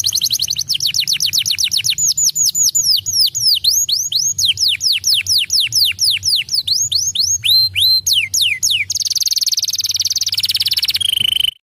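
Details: Lure recording of a singing canary, used to make a silent canary sing again: quick series of piercing descending whistles, repeated several times a second, then a long buzzy trill and a final lower rattle.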